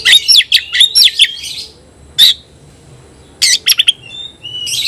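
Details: Oriental magpie-robin singing against a rival, a fast cluster of loud whistled and chattering notes, then a lone sharp note, a quick trio of chips and a trailing whistle.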